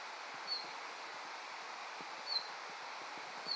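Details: Male red-flanked bluetail met on a mountain walk, calling now and then to claim its territory in a season when it rarely sings; three thin, high, short falling notes spaced irregularly over a steady hiss of wind and rustling.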